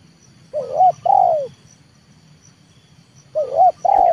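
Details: Trained 'leopard' spotted dove kept as a lure to draw wild doves down to the yard. Two cooing phrases about three seconds apart, each a short wavering note followed by a longer, drawn-out, falling coo. A faint steady high hum sits in the background.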